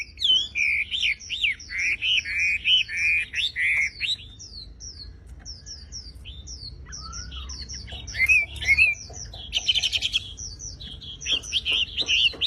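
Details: Javan pied starling in full song, with loud, swooping whistles delivered in rapid series. A quieter stretch of scattered high chirps follows, then bursts of harsh, rattling notes and further whistled phrases.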